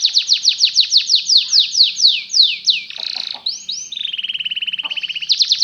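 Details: Canary singing meant to teach canaries to sing: a run of steep descending sweeps, then a harsh buzzy burst and a pure whistled note. A fast fine trill follows before the sweeps return.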